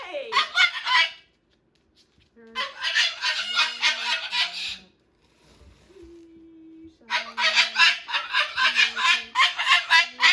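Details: A pet Moluccan cockatoo, chewing a new box near its toy truck, goes from quiet singing to full-volume screams: loud, harsh, rasping screams in three long bursts of rapid pulses, quiet gaps between, faint background music.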